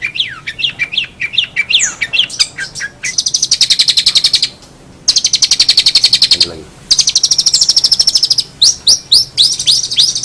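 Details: Long-tailed shrike starting with quick, looping slurred whistles, then long grating buzzy rattles separated by brief pauses. It ends with sharp high sweeps.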